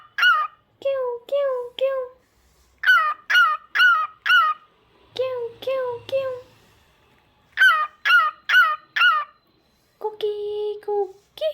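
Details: Caged or pet cockatiel singing indoors: groups of sharp harmonic chirps alternate with lower, rounded two-note whistles, repeated in short bursts, ending with a longer steady whistle; faint low rumble at times.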